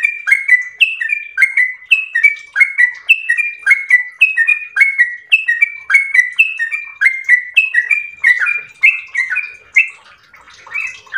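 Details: Long ropel song of a yellow-vented bulbul: a rapid chain of liquid whistled phrases, rising and falling notes in quick alternation, sustained for over ten seconds and easing slightly toward the end.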